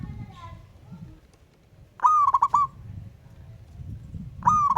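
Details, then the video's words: Wild local zebra dove calling to a rival, giving one full stammered coo phrase, a rising note then rapid choppy pulses, and starting another at the end; soft low background rumble and faint birds. "Burung Perkutut LOKAL Alam Ngayer Memanggil Lawan Ikutan Manggung Gacor"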